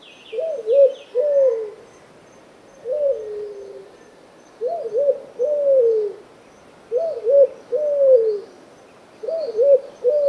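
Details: Repeated three-part coo phrases from a Streptopelia dove, two quick inflected notes and a longer falling one, given about every two seconds in a steady, monotonous series.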